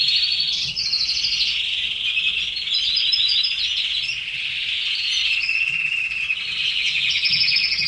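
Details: Continuous singing from caged red canaries: high rolling trills and short chirps overlapping with little pause, several birds at once.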